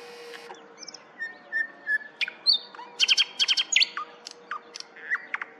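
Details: Thrush nightingale (Luscinia luscinia) singing in Põhja-Tallinn, Tallinn, Harju County, Estonia: thin whistles and slurred notes, then a burst of loud, rapid clicking chocks, over a faint steady low hum.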